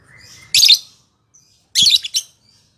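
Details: Lovebird used to provoke rivals: a thin rising whine leading into a loud harsh chattering burst, a pause, then another scratchy double burst.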